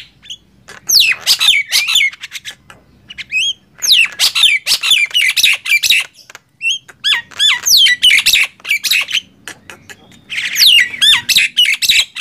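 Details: Nias hill myna versus black-winged myna in a gemboran loudness contest; long stretches of shrill looping whistles and harsh squawks, pausing briefly between outbursts.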